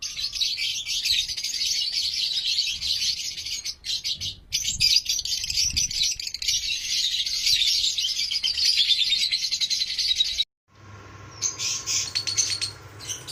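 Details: Breeding colony of paired lovebirds on a farm producing a long, unbroken mass of shrill, overlapping chirps and chatter, then a sudden cut leading into a quieter stretch with a few sharper high calls.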